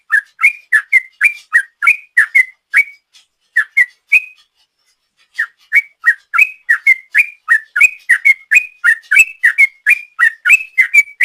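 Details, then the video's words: Sooty-headed bulbul giving a long ropel song for use as a lure: rapid run of short whistled, slurred notes near one pitch, about three per second, with a brief pause midway, on a clean background. "Trucuk Gacor ropel panjang,suara ropel trucuk"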